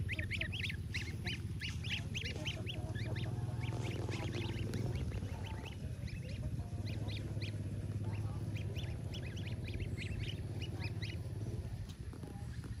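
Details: Crossbred Lion Head geese, an early-season first brood, give repeated nasal honks over a steady low rumble.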